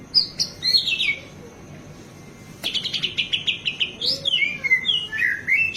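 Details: White-rumped shama in captivity delivering a mimicry-filled training song for other cage birds: high whistled notes sliding downward, then a fast run of repeated buzzy notes, followed by more descending whistled phrases.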